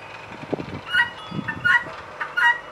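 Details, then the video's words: Three harsh two-part cries from a female guineafowl, partly covered by low rumbling and thumping noises nearby. "Female guinea calling/sound"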